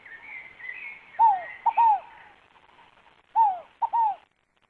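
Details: Scaled dove (rolinha fogo-apagou) sings two phrases of soft hooting coos, a descending note, a brief click-like note and a second drooping coo, over faint chattering and whistling of other birds.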